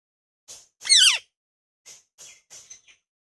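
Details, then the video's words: Rose-ringed parakeet, natural voice: one loud harsh screech falling in pitch, with a few short scratchy chirps before and after it, in otherwise quiet surroundings. "Ringneck Parrot Natural Voices"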